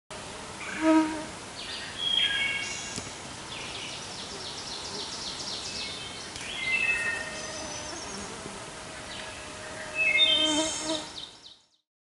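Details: Wood thrush sings fluty phrases ending in quick high trills, with an ovenbird's rapid repeated chant rising in the background, other woodland birds, a fly buzzing and steady hiss; Interloken Trail, Finger Lakes National Forest, May 17, 2015.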